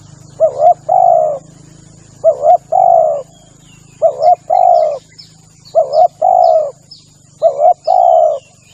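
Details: Spotted dove cooing in a phrase repeated about every two seconds, clipped double note then longer hoot, used to lure birds; busy high chirping of small birds, constant hiss and low hum.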